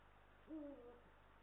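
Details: Eurasian eagle-owl, male and female at a nest in Estonia on 18 March 2022, picked up by a live nest camera: a single short, low, steady hoot with a slight downward tail, quiet over a constant background hiss.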